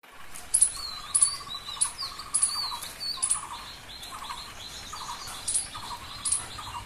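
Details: A tailorbird eating from a large umbrella gives sharp, high chirps about every half second to second, mixed with lower buzzy notes, over a faint rural hiss.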